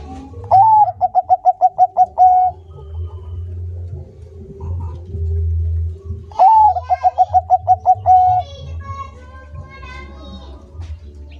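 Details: Two cooing phrases from a Bangkok-type zebra dove, each a rising first note then a rapid string of about ten short, evenly spaced coos ending in a longer note, separated by several seconds of low hum.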